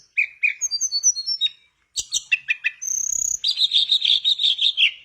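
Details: Mangrove blue flycatcher in vigorous song used to get stalled birds singing; repeated whistled notes, a stuttering burst, a high drawn-out tone, then a long rapid warbling trill.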